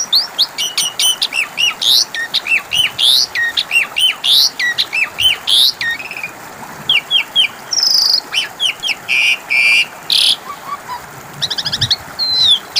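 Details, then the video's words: Long stretch of Asian pied starling song serving as a lure for silent birds: fast rhythmic chattering of repeated whistled notes, then louder varied whistles and scratchy bursts, ending in brief trills. "Pancingan suara burung jalak suren macet bunyi 🐦 5 Menit Langsung nyautt!!"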